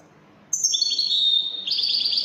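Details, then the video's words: European goldfinch singing in the Wedani style: after a half-second pause, a bright, high, sustained twittering phrase with thin whistled notes that steps upward near the end. "تغريد طائر الحسون الويداني"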